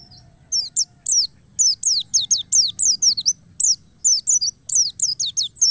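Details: White-eye song used as a lure to make other white-eyes sing: rapid series of very high, thin, descending whistled notes in bursts, over a steady high hiss.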